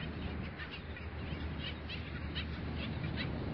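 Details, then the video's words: Black skimmers calling at dawn in a beach bird sanctuary: short nasal barking notes from several birds, repeated rapidly and irregularly, over a steady low rumble of surf or wind. "Rayadores cantando al amanecer"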